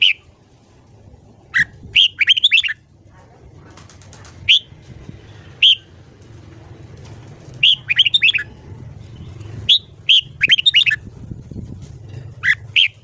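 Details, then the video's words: Voice-training morning song of a red-whiskered bulbul: repeated bursts of quick whistled notes, rising and falling, alternating with single whistles every few seconds above a steady low background hum. "Luyện giọng chào mào hót sáng"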